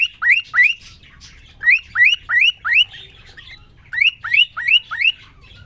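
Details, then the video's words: Caged male cockatiel singing to a female placed with him after three days alone: bursts of two to four upslurred whistled chirps separated by short gaps. "The most amazing, and magical Cockatiel twitting you would ever hear."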